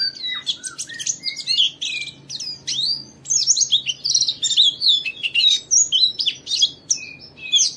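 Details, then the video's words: Busy jumbled white-eye twittering, intended to stimulate other white-eyes into song; high chirps, slurred notes and squeaky phrases overlap almost without pause, possibly more than one bird. "Suara burung Pleci ini Ampuh memicu semua Pleci cepat Buka Paruh dan gacor"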